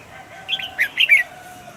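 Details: Short, sweet phrase from a caged red-whiskered bulbul: three or four rounded, slurred whistles in quick succession, clear over a quiet background.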